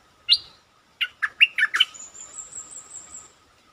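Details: Stripe-throated bulbul, kept caged and used as a lure, gives one sharp note, then a hurried phrase of five bubbly warbled notes, followed by a thin, high, drawn-out buzzy trill over a faint hum.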